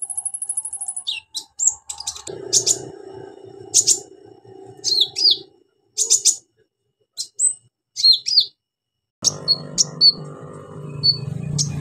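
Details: Orange-headed thrush in loud, rapid-fire song packed with imitated notes, used as a lure to get silent birds singing: a long high trill, then varied sharp chirps and downslurred whistles in bursts, with a low hum underneath.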